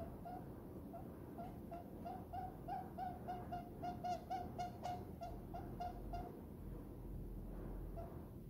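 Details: Pet diamond dove cooing contentedly while nestled in a person's palm, giving a rapid run of short soft hollow coos, several per second, over a steady low background rumble.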